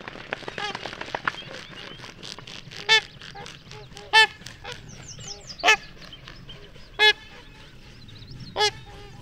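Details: Trumpeter swans in Minnesota taking off from water and calling in flight give loud, brassy honks about every one and a half seconds, over busy chattering of other waterfowl.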